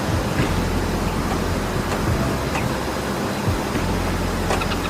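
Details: A steady, loud broadband roar like passing traffic or surf fills the whole stretch, with no animal calls standing out.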